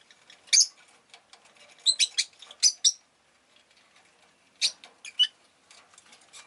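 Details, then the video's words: A busy spell of sharp, high chirps and twitters from several pet rosy-faced lovebirds that called often that day. Louder notes stand out against steady soft background chattering. "Lovebird Chirping Sounds"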